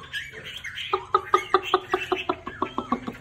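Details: Hwamei in fanning song display near the end of its moult: a brief warbled phrase gives way to a fast string of identical loud notes, roughly eight per second, with a low hum beneath.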